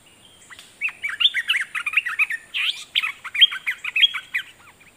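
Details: Red-whiskered bulbul used as a decoy, singing toward wild birds: a continuous, bubbly chatter of quick warbled and slurred notes, with several brighter whistled upsweeps mixed in.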